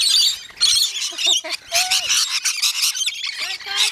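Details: Shrill, harsh screeching from many rainbow lorikeets during a feeding frenzy at Bungalow Bay Koala Village on Magnetic Island, Queensland, Australia. Calls come in loud bursts with short gaps, and human voices sound faintly in between.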